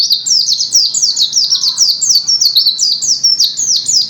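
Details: Continuous rapid white-eye song, a high, bright chain of quickly repeated downslurred chirps without pause.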